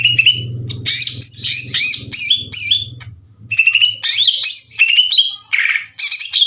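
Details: Greater green leafbird (cucak ijo) song used as a lure to provoke other leafbirds: rapid varied whistled and chattering phrases, sliding up and down in quick bursts with short pauses, a low hum underneath.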